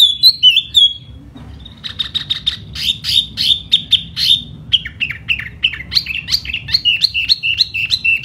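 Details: Laughingthrush singing in spring with fanned feathers: quick warbled whistles, a steady stream of sharp repeated chips, then a run of falling whistled notes.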